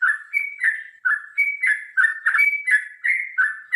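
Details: Yellow-vented Bulbul pouring out a long fighting song: fast, continuous bubbly whistles, each phrase a high note sliding into a lower warble, about three per second.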